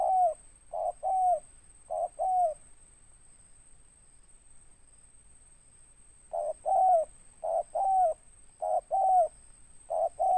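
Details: Spotted dove cooing with a big 'ngeruk' voice and ending note. Brisk pairs of a short note and a longer downward-bending coo, a silent gap of several seconds, then another run of repeated pairs.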